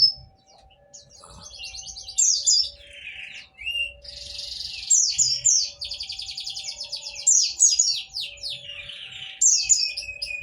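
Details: Extended white-eye song with fast, jumbled trills and buzzy rattles rising and falling in loudness, phrases tumbling one after another above a low steady hum. Intended to provoke sluggish white-eyes into song.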